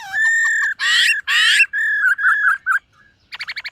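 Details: White-cheeked laughingthrush in a cage during morning song practice: a long steady whistle, two harsh loud rasping bursts, then short repeated whistles and a closing quick stutter of bright notes.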